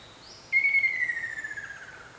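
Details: Ruddy Kingfisher calling near a house, heard but not seen: one loud, clear whistled call that slides gradually downward and breaks into a fading, rolling trill over about one and a half seconds, with quiet background.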